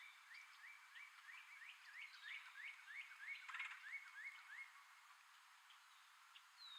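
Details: Male red-headed woodpecker calling while hiding food in tree holes: a rapid series of short, hooked, rising chirps, about three per second, in an even run lasting several seconds.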